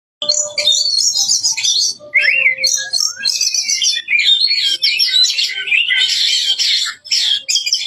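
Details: Oriental magpie-robin singing actively with loud, forceful phrases. A dense, fast stream of varied high chirps, trills and sharp whistles runs almost without pause for nearly eight seconds, with faint low tones underneath.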